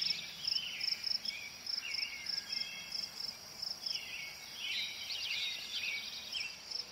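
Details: American robin singing slurred, warbled phrases in short bursts, with a steady rapid insect chirping pulsing high above throughout and other birdsong overlapping.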